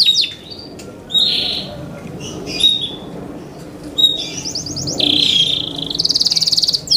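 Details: Captive Yorkshire canary in competition-style song, delivered in short separate bursts with pauses: brief buzzy notes, a quick rattling phrase, a sustained whistle and a fine high trill, over a soft background hiss.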